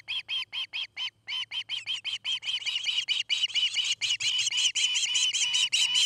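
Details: From a nest camera in Charlo, Montana, on an August 2018 afternoon, an osprey at its nest gives a long, steady string of sharp, piercing chirps, about four each second, growing louder and more insistent toward the end, with a faint low hum behind.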